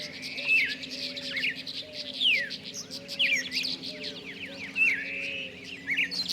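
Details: A red-crested cardinal in central Argentina, song usually given by males, bright, sliding whistled phrases and quick chirps, returning about every two to three seconds over a low, steady hum.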